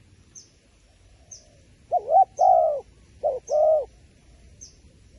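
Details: Wild pigeon at a decoy-bird trap giving two paired coos, each a brief lower note followed by a longer, fuller level coo. A faint high tick repeats about every second behind the calls.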